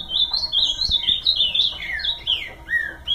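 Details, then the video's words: Ultramarine grosbeak in full song: a fast, continuous run of clear slurred whistles and warbles, several notes sliding downward, loud and close, with a low background hum. "Azulão bom de canto"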